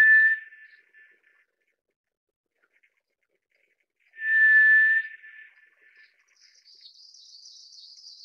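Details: Two slow, level whistles from a White's thrush, about four seconds apart, each plain and sustained for nearly a second. Afterwards a faint high wavering chatter from another bird continues.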